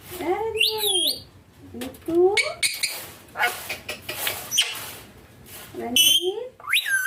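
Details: Pet green Indian ringneck parakeet calling indoors beside its owner: short shrill downward-sweeping shrieks at the start and end, mixed with a human voice speaking and household rustling in a small room.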